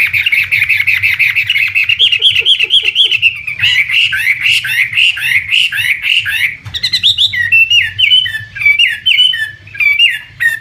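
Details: Chinese hwamei, an imported premium contest bird, singing loud varied whistled phrases: rapid rising and falling notes in repeated series, shifting into sharper clipped downslurred whistles near the end; faint low hum underneath.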